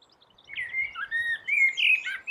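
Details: Blackbird perched on a rooftop, singing a rich fluted warble of connected, gently rising and falling whistles that ends in a brief sharper twitter; quiet background.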